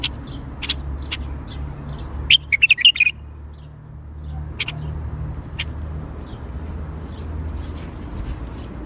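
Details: Bulbul singing in the Baghdadi style (tor Baghdadi): one quick warbled phrase of liquid whistles near the third second, with a few isolated chirps and a steady low rumble throughout.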